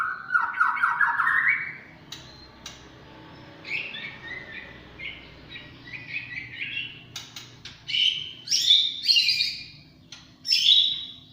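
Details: White-rumped shama, a champion bird, delivering 'tembakan cililin' song: a rising run of fast notes opens, followed by warbled mid-pitched phrases and sharp, high whistled bursts spaced a second or two apart.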